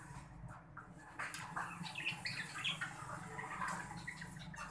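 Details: Breeding pair of green budgerigars, Australian bajri parrots: a run of soft warbling chatter and twittering notes in the second half, against a low constant hum.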